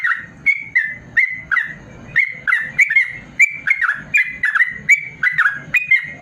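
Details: Long, rapid 'ropel' song of a yellow-vented bulbul, played to coax reluctant caged birds into singing; a steady stream of liquid, down-slurred chirps roughly three per second, with dull knocking noises underneath.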